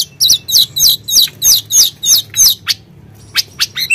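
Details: Sunda blue robin singing as an emotion lure: nine loud buzzy slurred notes repeated rapidly and evenly, followed by a pause and a few sharp high ticks.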